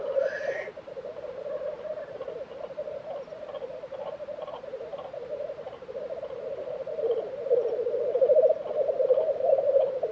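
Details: Black grouse lek, Tiveden, Sweden, April 2023: a rough hissing note opens over a continuous low bubbling chorus, which swells louder toward the end.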